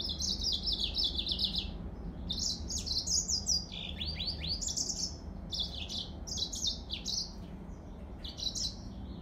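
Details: Yellow-fronted canary song: high, sweet phrases of quick slurred notes, some descending in runs, repeated with short pauses over a steady low background hum.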